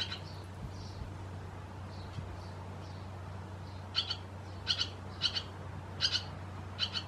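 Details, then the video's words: In Croatia, a barn swallow (Hirundo rustica) gives sharp, high chirps, often in quick pairs, growing louder and more frequent in the second half, over a low steady hum. "Lastavice , Hirundo rustica , Swallow"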